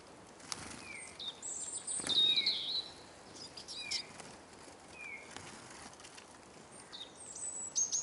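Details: Feeding Eurasian siskins (Carduelis spinus) at a bird table in Kolmården, Sweden, with the camera lying on the ground underneath. Short falling whistles repeat every second or so amid clicks and wingbeats, with one louder squeaky twitter.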